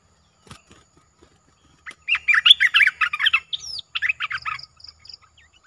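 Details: Caged streak-eared bulbul singing a brisk run of liquid, chattering notes after a near-silent start, followed by a few thin high whistles and a faint low hum behind.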